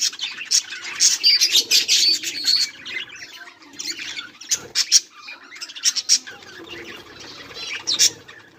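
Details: Budgerigars, recorded 18 July 2023, give a loud run of rapid squawky chirps, fall quieter midway, then resume with scattered sharp tweets over soft warbling.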